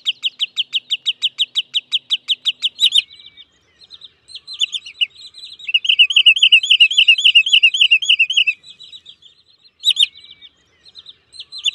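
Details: A Wood sandpiper (local name zanzouni) recorded in the 2023 season gives what is presented as a new call: a fast run of about fourteen sharp, high whistled notes, then warbling, rippling phrases and a few brief chips.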